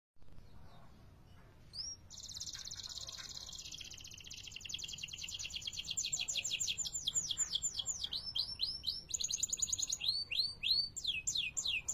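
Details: Canary (kenari) singing a long rolling song of rapid trills at high pitch, switching between buzzy fast rolls and repeated falling whistled notes, growing louder over the clip; faint low background hum.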